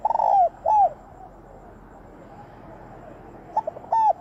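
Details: Spotted dove lure call for trapping, in the fast, forceful 'thúc bổi' style: loud arched cooing notes, a pair at the start and another pair near the end, separated by a quieter stretch of soft background cooing.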